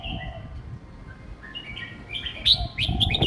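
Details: A young red-whiskered bulbul kept in a cage sings simple phrases meant for young birds to learn: rising and falling whistled notes building into loud, bright chirps near the end, over low rumble.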